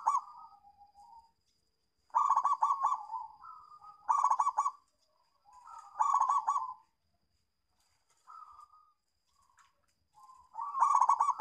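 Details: Local zebra dove song used to lure doves and prompt silent birds to sing: cooing phrases about every two seconds, each a quick run of pulsed notes trailing into a softer, lower coo, with a faint steady high whine.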